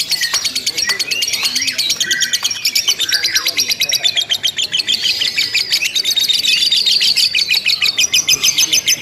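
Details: Ngekek song of a lovebird during a contest simulation: a dense, high, rattling chatter of quick pulses, with a few squeaky notes early on, continuing almost without a break.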